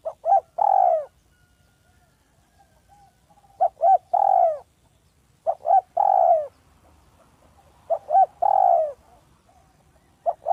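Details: A village spotted dove calling as a lure: four repeated phrases, each a quick double coo then a long sliding coo, about every two to three seconds, clean and clear.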